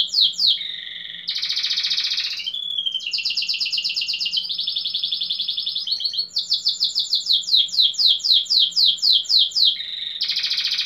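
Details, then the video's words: Caged competition canary from Pelotas, Rio Grande do Sul, sings continuously: dense buzzy blocks alternate with steady rapid trills and a long series of repeated downslurred notes, ending on another loud buzz. "Canário Doméstico"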